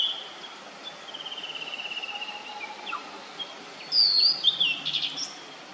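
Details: Immature Blue-and-white Flycatcher singing: a long, thin whistled trill sliding slightly downward, then brief sharp high notes and a short burst of squeaky phrases near the end, over quiet forest background.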